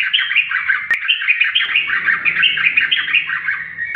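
A yellow-vented bulbul pours out a fast, unbroken stream of bubbly, chattering notes in a mid-high pitch. There is a single click early on and a faint low hum.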